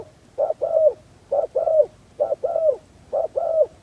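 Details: Decoy spotted dove calling to draw in wild doves: four two-part coos, a short low note then a longer gently falling one, evenly spaced just under a second apart.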